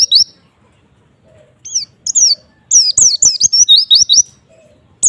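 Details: White-eye song used to provoke other white-eyes into answering. Scattered high, thin downslurred whistles build into a rapid twittering run of bright notes near the end, with brief gaps between phrases.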